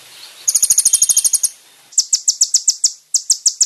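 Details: Kolibri ninja song for training caged birds: a quick, very high series of clipped ticking notes, then a slower run of separate sharp chips repeated several times a second.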